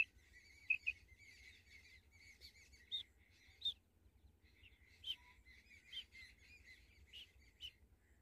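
A female common quail gives raspy, slightly buzzy chirping notes in uneven bursts, with sharper accents about once or twice a second. No other sounds stand out.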